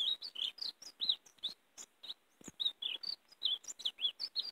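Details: Warbling 'mariposa' song of a European greenfinch, played to call in and catch greenfinches: a quick series of separate bright chirps and short twitters, roughly four or five notes per second, on a clean quiet background.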